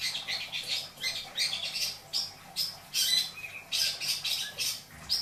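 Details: Long-tailed shrike kept as a pet in Indramayu, isian song: a dense run of rasping, chattering bursts with short upslurred and flat whistled notes mixed in, delivered almost without pause.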